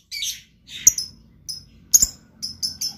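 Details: Short lovebird phrases: a scratchy high squeak, then brief piercing chirps and thin peeps separated by short pauses.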